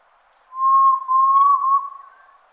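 A Red-legged Tinamou gives one pure, mellow whistle of about a second and a half, steady then gently rising, with a brief catch midway, against a quiet background.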